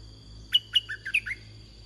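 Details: Large wild red-whiskered bulbul, heard while being lured with a caged decoy: one quick phrase of five or six clear, lilting notes that mix high chirps with lower rising whistles, over a constant high insect hum.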